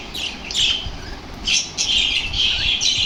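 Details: Energetic lovebirds reacting to lovebird sounds let out harsh, high-pitched squawks, some sweeping upward, in irregular clusters of two or three.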